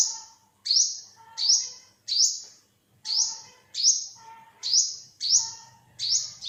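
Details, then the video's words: Olive-backed (yellow-bellied) sunbird giving high, sharp, slightly descending chips, repeated roughly every three-quarters of a second in a steady series. "เสียงนกกินปลีอกเหลือง Olive-backed sunbird, Yellow-bellied sunbird"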